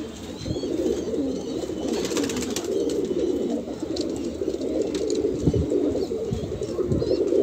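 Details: A group of Kalsera pigeons of Banarasi stock, kept for sale in Allahabad, India, gives a steady, low, bubbling coo chorus with overlapping phrases, a few faint high chirps and occasional soft knocks.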